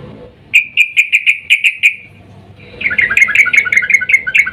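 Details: Female sooty-headed bulbul in breeding mood calling the male, used as a lure; a crisp series of repeated ringing notes, a pause, then a faster rolling chatter of bubbly notes.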